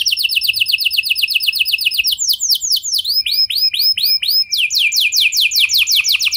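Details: Singing canary, played to prompt other canaries to join in: a fast high trill gives way to slower, clearly separated swooping notes, then speeds into another rapid rolling trill.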